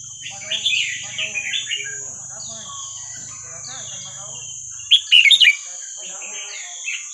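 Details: Red-whiskered bulbul singing Burmese-style song to train young birds: slurred whistled phrases, then a loud burst of rapid sharp notes near the end, over a steady high whine and a low hum in the first part.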